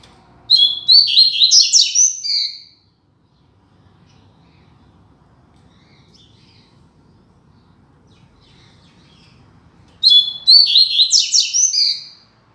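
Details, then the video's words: Rusty-collared seedeater (coleiro) classic 'Tui Tui Zel Zel' song used to tutor coleiros and papa-capims: two bright, high, fast-warbled phrases of about two seconds each, rich in quick twittering notes, separated by a long gap with faint hum. "Tui Tui Zel Zel Canto Clássico"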